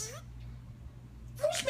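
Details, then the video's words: Talking Senegal parrot, a 22-year-old household pet, gives two short, raspy speech-like phrases with sliding, bent harmonics, the first bursts sharply and the second comes after a second-long pause, all over a constant low hum indoors. "My talking Senegal Parrot"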